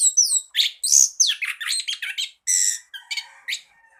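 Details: Orange-headed thrush (anis kembang) singing as a tutor for birds reluctant to sing. Dense, continuous stream of squeaky whistles, harsh rasps and warbled notes, one after another with hardly a break.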